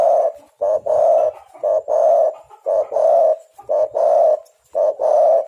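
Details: Spotted dove used as a bird-trapping lure; loud cooing repeated steadily, short note then long coo in pairs, about once a second throughout, close and clear.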